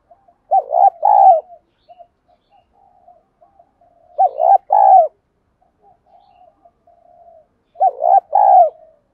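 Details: Female spotted dove used as a lure to draw in wild birds, giving a low three-part cooing phrase, a short note then two longer hoarse coos, repeated about every three and a half seconds, with soft murmuring coos between.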